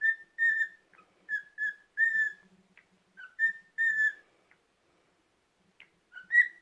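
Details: Cockatiel singing on a rest day: clear whistled notes, mostly level and held briefly, delivered in short phrases with small gaps, a few dipping or rising slightly, ending on an upward-sliding whistle; quiet background.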